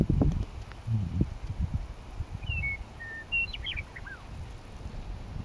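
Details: Meadowlark singing in a Lethbridge coulee on May 9, 2014: a few clear whistled notes that slide and step downward, ending in a quick descending flourish, over steady low wind rumble.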